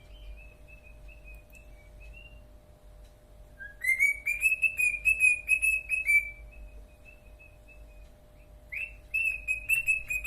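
A cockatiel whistles a tuneful song of sustained, wavering notes with rising slurs.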